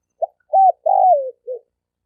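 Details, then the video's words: A single cooing phrase from a male spotted dove calling to attract females and wild birds, 2020. It opens with a brief pip and an arched coo, then a long downward-gliding croon, ending with a soft lower note. Clean and quiet. "Tiếng chim cu gáy trống kich mái kích bổi"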